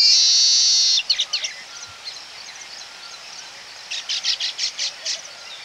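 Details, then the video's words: A Baya weaver colony heard close up: a loud, sustained buzzy sound, a few quick chirps, then a regular run of about eight short, bright notes. "Baya Weaver. Calls CU At Colony"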